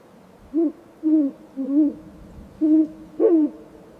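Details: Snowy owl giving six short, low, hoarse, bark-like chirps in an uneven series about half a second apart, in quiet surroundings.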